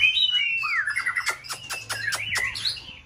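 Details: Stimulation song of a white-rumped shama in peak condition: a high whistle gliding downward into warbling notes, punctuated by several sharp clicking strokes, ending in rising twitters.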